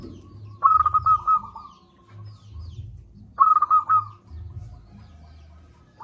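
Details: Loud local zebra dove singing to coax reluctant doves into calling: two quick, stuttering cooing phrases about three seconds apart, each a fast run of clipped notes at one mid pitch, with a soft low rumble between them.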